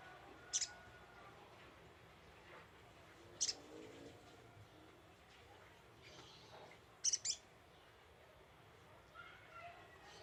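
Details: Scarlet-headed flowerpecker lure call: short, very high, sharp ticking chips, single or doubled, spaced irregularly several seconds apart over a faint hiss.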